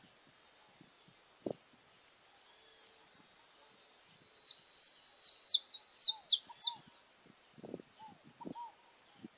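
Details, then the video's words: Saffron finch of Brazil in its love ritual: isolated high ticks, then a dense burst of thin descending chirps mid-recording, over soft background hiss and low thumps and rustles. "Ritual do Amor Canário-da-Terra em Sua Expressão Mais Apaixonada"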